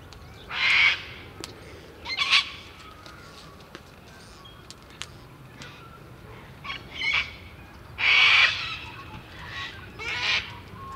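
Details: Gang-gang cockatoo on the slopes of Mount Majura, Canberra, 19 February 2017, giving harsh, creaky, rasping squawks, each under a second, five at irregular intervals, with quiet background between.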